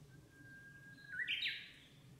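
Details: In spring countryside, a Japanese bush warbler gives its breeding-season song: a long, steady, mid-pitched whistle for about a second, then a quick, bright, rising flourish, over a faint low background hum.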